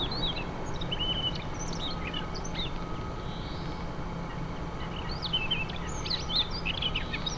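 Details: A Siberian rubythroat at Wargön, Sweden, in 2022 gives scattered high, scratchy chirps and short twittering notes over a steady low rumble, like distant traffic.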